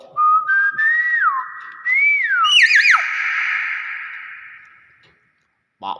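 Nias hill myna giving loud, clear whistles that slide up and down, then a wavering, buzzy phrase fading out, and a brief sharp note at the end.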